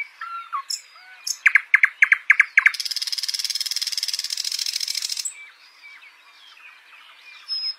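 A nightingale sings a few soft opening notes, then six loud, evenly spaced piping notes, then a fast, buzzy rattling trill lasting over two seconds.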